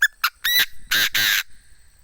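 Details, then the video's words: Decoy Chinese francolin crowing: a brief high note and a short tonal note, then three loud, harsh, rasping bursts, the last two long and close together, ending in quiet. "Tiếng chim đa đa mồi gáy hay thuần đét"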